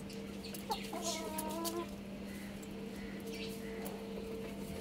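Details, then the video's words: Rooster crowing loudly: one short harmonic crow lasting under a second, set against a steady low hum and faint background noise. "Happy Rooster Crowing Loudly"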